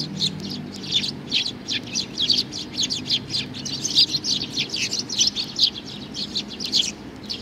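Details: Young sparrow chirping busily, with high notes tumbling close together over a low background murmur.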